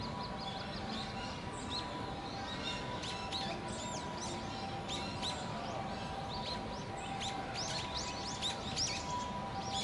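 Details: Two young little grebes, hatched in early October, calling on a pond at Inokashira Park in late November. Repeated high upslurred peeps and chirps run through the whole stretch over constant low noise.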